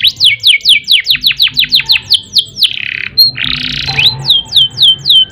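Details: Canary in full 'gacor' song of the ngerek, ngerol and nembak types, used as a master and to prompt other birds to sing: a run of rapid, falling whistled sweeps, then a dense buzzy trill, then more descending whistles.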